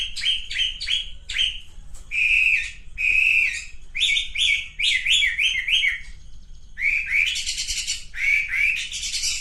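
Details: Male pink-necked green pigeon giving dense, repeated, burry whistled notes that dip and rise. Quick bursts of three or four notes are broken by short gaps, and a harsher, rasping series comes near the end. Low background hum throughout.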